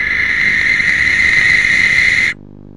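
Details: Barn owl pair in a nest box at 3:16 am on 19 January, greeting and mutually grooming; a loud, harsh, hissing screech held steadily for over two seconds, then stopping abruptly, leaving a quiet low hum.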